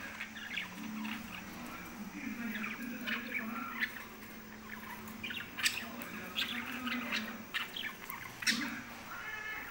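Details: Pet lovebirds produce a long run of high, thin chirps and harsh squeaks at irregular intervals, occasionally louder sharp notes, over a low continuous hum.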